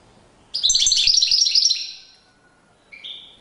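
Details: Courtship display by a European goldfinch: a rapid tinkling run of high, liquid twitters lasting about one and a half seconds, followed after a pause by a short, softer, clear whistled note.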